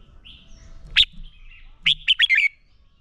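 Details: Red-whiskered bulbul fighting song meant for training: one loud whistled note, a pause, then a rapid tumbling group of four slurred, rising-and-falling whistles.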